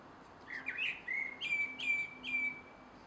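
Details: Dusk song of a male common blackbird in a garden on 3 July 2016: warbled opening notes, then a steady series of clear drawn-out whistles repeated roughly every half second.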